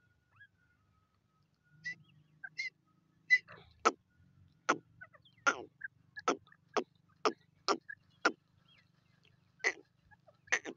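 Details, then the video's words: Grey francolin (Dakhni teetar) giving a loud series of harsh, clipped notes, repeated about twice a second and quickening toward the end, over a faint low hum. "Voice of Dakhni teeter"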